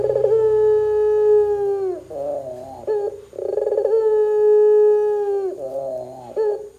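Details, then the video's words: Barbary dove calling loudly, intended to get other doves calling too: two long, smooth, level coos of about two seconds each, both drooping at the end and each preceded by a short burbling roll. "suara PUTER gacor Bikin PUTER Lain dengar cepat IKUT BUNYI"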